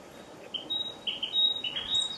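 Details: A Narcissus flycatcher, heard but not seen, sings in Miho Citizens' Forest: a quick run of clear, high whistled notes, several in about two seconds, over a faint steady high hum, perhaps insects.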